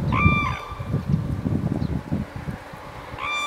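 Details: Red-crowned cranes in Hokkaido, Japan, March 2012: a ringing trumpeted call at the start and another at the end, with wind and low rumble between.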